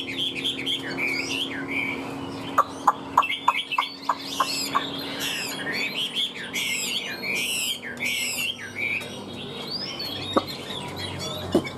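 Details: Fan-tailed, tame caged hwamei praised for its good voice delivers fast, varied whistles, trills and slurred notes, with scattered sharp clicks in the background.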